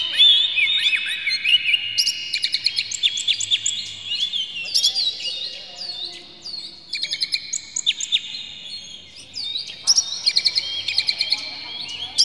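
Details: Loud, clear Oriental magpie-robin lure song for provoking a bird into singing: continuous overlapping phrases of bright whistles, slurred notes and clicking chirps, pausing briefly between bursts.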